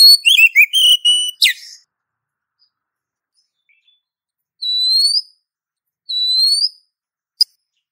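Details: Female Oriental magpie-robin calling a male, lure sound: a quick series of high notes and a sharp rasp, a pause, then two drawn-out, thin, upslurred whistles and a final tick.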